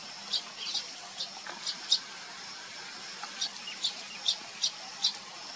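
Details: Baya weaver birds, recorded with a Nikon P1000 camera: short, sharp high chirps repeated roughly every half second over a quiet hiss, with a few softer notes in between.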